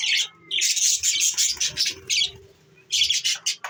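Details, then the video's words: Pet budgies recorded on December 14, 2023, giving dense, buzzy, scratchy warbling bursts in quick succession, broken by short pauses. "budgies Bueatiful Sounds"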